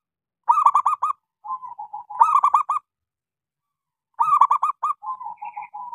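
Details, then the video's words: Local zebra dove with a small voice, singing actively, used as a lure song to stir silent doves into singing: a quick series of clipped, rolling coos, then a softer, even run of low notes, the phrase repeated after a pause. "Suara pancingan Perkutut lokal gacor suara kecil"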